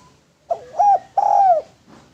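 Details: A lure and training song of a spotted dove: one low cooing phrase made of a brief soft lead-in, a rounded middle coo, and a longer, slightly wavering final coo.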